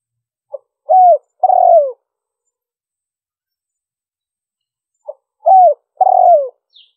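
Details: Spotted dove call for drawing in wild doves: two phrases about five seconds apart, each a tiny soft note, a curved falling coo and a longer rough descending coo. Nothing else is audible.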